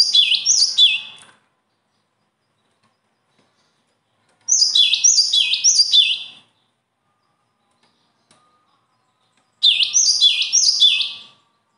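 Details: Bird song delivered in three separate bursts roughly every five seconds, each burst about two seconds of crisp, staccato high notes cascading downward, with complete silence between bursts.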